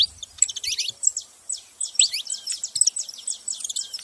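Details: Saffron finches, several birds, keep up a busy run of bright, high chirps and short twittering phrases that overlap almost continuously.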